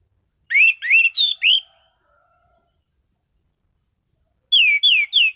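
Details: Orange-headed thrush kept as a cage bird, singing rapid series of loud rising whistled notes, four in a row, then after a pause three more similar upslurred whistles.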